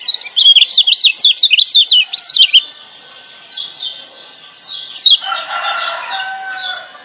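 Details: Lemon-bellied white-eye, wild-caught on Lombok, sings a master song for coaxing lazy birds into song: rapid, rolling high warbles, fainter trailing notes, then a sudden rasping chatter and quieter twitters.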